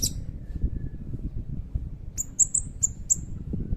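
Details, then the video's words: Blue-crowned hanging parrot giving a few separate, sharp, very high chips spaced a fraction of a second apart, part of a nembak song with cililin filler used as a tutor for magpie robins and kacer; low background rumble. "Burung Serindit Gacor Nembak Isian Cililin Panjang"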